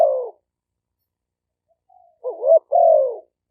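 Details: Decoy spotted dove in Roi Et, Thailand, recorded live on a smartphone for attracting wild doves. One coo, a pause, then a rising coo and a long, slowly falling coo.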